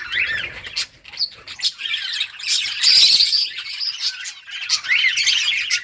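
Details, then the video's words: Budgies playing in their breeding colony in summer: uneven bursts of chattering chirps, a louder squawking stretch in the middle, and a scratchy warble toward the end. "budgies beautiful colors playing and chirping"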